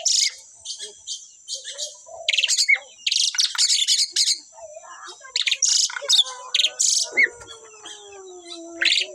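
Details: A singing pair of Asian pied starlings, kept birds in strong voice, mix grating bursts of chatter with thin whistles and a long low drawn-out whistle near the end.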